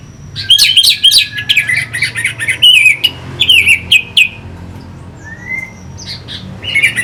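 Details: Orange-headed thrush, caged, singing to stimulate fighting birds; rapid varied whistled phrases with sharp clicks and slurred notes, a thin sustained tone, a soft rising whistle near the end, faint background hum.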